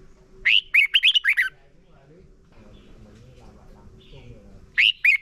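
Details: Caged red-whiskered bulbul singing for training other birds: a lively phrase of five or six fast, liquid whistles, a quiet stretch with a faint background murmur, then another loud whistled phrase begins.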